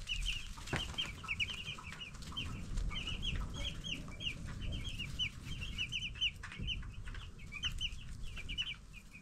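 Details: Growing broiler chicks at 10 days old chirping constantly, many birds overlapping in quick, high, slightly downslurred peeps, with occasional thumps and a low rumbling background.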